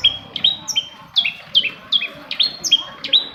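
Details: Long-tailed shrike singing as a lure for quiet shrikes: quick series of clear high whistled notes, each starting with a sharp rising flick, repeated about two to three times per second.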